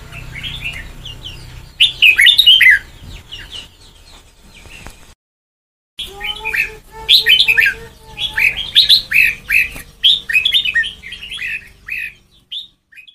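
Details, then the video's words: White-cheeked red-whiskered bulbul trained toward the Sông Kon style sings repeated bursts of bright, chopped whistled phrases separated by short pauses. Mid-clip, a long, steady, lower pair of tones slides gently downward beneath the song. "Ép Giọng Cho Chào Mào Má Trắng Thành Sông Kon Chuẩn 100%, นกกรงหัวจุก"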